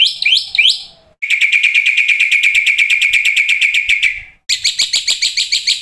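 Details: Black-winged starling isian-filled masteran song used to coax starlings into singing: three quick rising whistles, then a long rapid buzzing rattle, followed after a pause by a fast run of sharp high chips.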